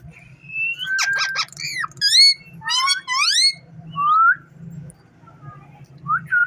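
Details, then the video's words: A ringneck parrot kept as a pet chatters in varied whistled phrases, rising and falling slurs and quick harmonic notes in dense bursts, with a constant low hum behind. "Amazing parrot talking funny clips"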